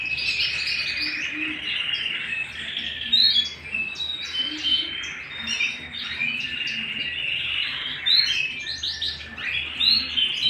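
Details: Canary singing at home, mixing rolling trills with harsher squawky bursts and sharp upward flicks in uneven spurts, over a low background hum.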